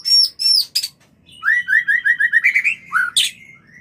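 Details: White-rumped shama breeding-call recording meant to bring birds into mating condition: high sharp whistles and chips, then a rapid run of repeated rising notes and a final burst.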